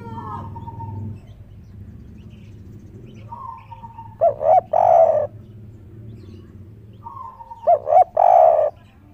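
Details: Spotted dove on a roof, excited, giving its "kuk 3" style coo: two quick hooting notes and then a longer cooing note, heard twice about three seconds apart. A steady low hum runs underneath, and a thin whistled tone comes earlier.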